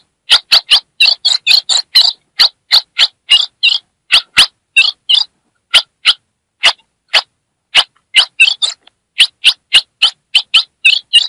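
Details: Calling female Ultramarine grosbeak, Brazilian Northeast, meant to excite a male: steady series of sharp high chips mixed with short scratchy chattering clusters, repeated almost without pause over eleven seconds, clean quiet background.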